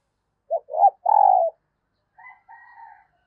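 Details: Female dove calling to stimulate males: a brief low coo, a rounder second note, then a long rolling coo, followed by fainter, thinner drawn-out tones.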